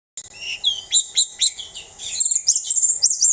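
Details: Orange-headed thrush singing a quick run of high, thin whistled slurs and rising sweeps, phrases tumbling over one another, with a faint steady electrical hum.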